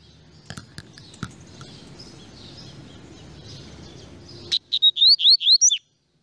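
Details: Double-collared seedeater song: after noisy background with faint distant notes, a short loud burst of clear, sharply slurred whistles, about six quick notes in just over a second, then silence.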